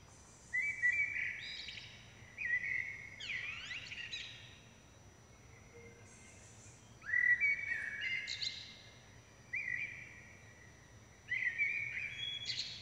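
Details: Common blackbird young begging during feeding by both parents: five separate bursts of shrill, strained, overlapping squeals about two seconds apart, some with quick downward sweeps, between quiet gaps.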